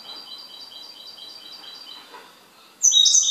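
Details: Goldfinch repeating a rapid chain of thin, high chirps about three times a second, then breaking into a sudden loud, buzzy, twittering burst at the end.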